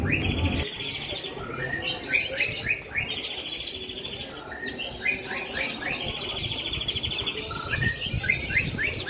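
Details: Lovebirds at a lovebird song competition gathering in Bandung, Indonesia, on 26 May 2021, singing with long rapid chattering trills and buzzy repeated notes, several birds overlapping, amid crowd noise.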